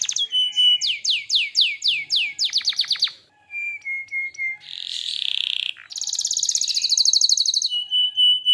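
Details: Lively canary song called gacor, with a cascade of falling swept notes, a quick descending trill, soft steady whistles, a buzzy burst and a loud rapid trill ending on a level whistle.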